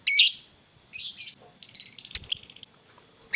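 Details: Lovebird, a fighter-type bird, used to provoke other lovebirds into singing: a few harsh, high squawky bursts separated by short gaps, then a buzzy, rattling chatter of high notes.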